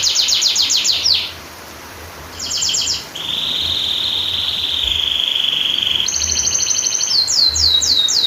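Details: Canary long-roll tutor song for silent canaries: rapid trill, a gap, short trill, a long even buzzy tone lasting about three seconds, then a fast trill and swooping notes.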